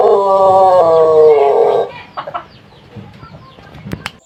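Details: Pelung chicken, an Indonesian ornamental breed from Cianjur, West Java, ending a long crow: a wavering harmonic tone lasting under two seconds, then faint clucks and background noise.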